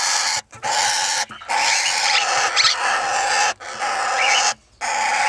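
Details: Red-winged parrot, one of a two-year-old breeding pair with 20-day-old chicks from their first brood, gives harsh, raspy screeches in long bursts of about a second, four in a row with brief pauses between.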